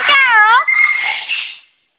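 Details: Female double yellow-headed amazon, a happy, fun talking pet bird, gives a loud wavering harmonic utterance that settles into a steady flat tone, lasting under two seconds, indoors and otherwise quiet.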